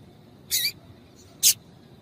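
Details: A pair of bright, high chips about a second apart from a female double-collared seedeater, given to encourage a male to sing, with soft hiss behind.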